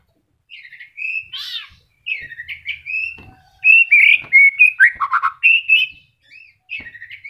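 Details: White-rumped shama in moult, just beginning to regrow feathers yet still singing melodiously: a varied string of clear whistled phrases, slurred notes and short trills, with brief gaps between bursts.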